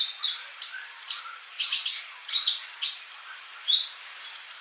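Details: Gacor kolibri sunbird as training audio: a series of high, sharp, downslurred chirps in short separated bursts, each note bright and brief, roughly one burst per second.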